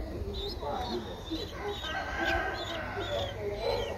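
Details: Streak-eared Bulbul chick, 12 days old, in Ubon Ratchathani, Thailand, 14 April 2023. Thin high chirps come at uneven intervals over a steady low hum and murmuring background.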